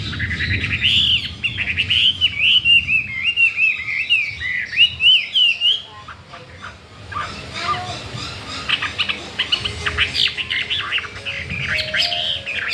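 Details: Newly arrived Chinese hwamei wanting to breed, singing a dense warbled stream of whistles for about six seconds, followed by quieter scratchy, noisy sounds and scattered chirps.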